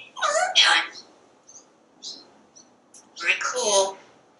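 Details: Talkative parrot on a screened back porch commenting on squirrels and birds. Two loud, word-like utterances, separated by soft chirps and clicks.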